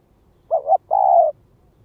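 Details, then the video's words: Single cooing phrase from a spotted dove used for lure calling: quick two-part note, then a sustained low coo. "Tiếng chim cu gáy mồi đất Gáy Gọi Thúc Kích Bổi"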